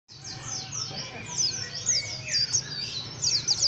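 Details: White-eye singing a rough chirping song: rapid, scratchy high notes run together in a busy twitter, with a low background hum throughout.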